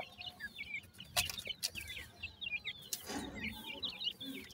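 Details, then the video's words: Five grey francolin chicks with their mother at feeding time, chirping in busy high downslurred notes several per second, broken by two short broadband rustling bursts. "Dakhni Teetar chicks khorak time,Female with 5 chick"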